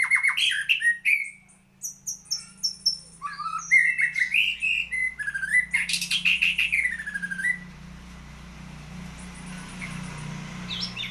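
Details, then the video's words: White-rumped shama in full rapid song, a dense run of sharp clicks, whistles and downward-sweeping notes for several seconds, then quieter distant notes over a steady low hum. "Kicau Murai Batu Maskot Para Pecinta Burung Kicau"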